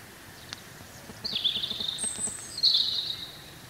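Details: Wild European robin spring song: a high, wavering warble followed by a thin, steady whistle and a second bright phrase, heard over a low background rumble and occasional ticks.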